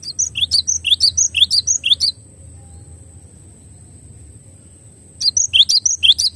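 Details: A glatik batu (cinereous tit) delivers a fast string of sharp, high, chipping double notes, falls silent for about three seconds, then resumes; a thin continuous tone is heard throughout.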